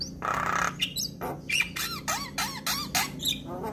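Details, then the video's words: Javan myna in lively song to train young mynas: a harsh rasping burst, then a string of looping whistled and creaky notes about four per second, squeaky and varied. "Jalak Kebo gacor Masteran Bikin Burung Jalak Muda Cepat Respon"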